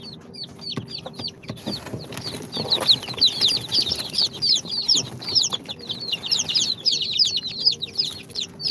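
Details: A brood of day-two chicks hatched in an incubator, including Sultan, Golden Sebright, Cochin and booted breeds, peep loudly and continuously, high thin downward notes tumbling together and building in intensity midway, over a faint steady hum.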